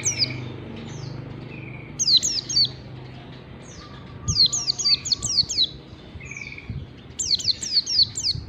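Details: Training recording of white-eye (pleci) singing in the 'ngalas' style for caged birds. Three clusters of quick, high, downward-slurred whistles, with a faint thin held note between phrases.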